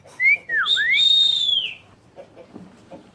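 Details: Trained pet Asian pied starling, able after a year to imitate speech and crying, utters a short high whistle, a swift down-and-up swoop, then a long steady whistle sliding downward, with quiet background noise after.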